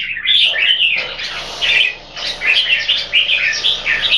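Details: Kept red-whiskered bulbul from Singapore, two birds compared: a dense run of bright chirped and warbled notes, mostly high, with short phrases crowding one another and a brief lull near two seconds.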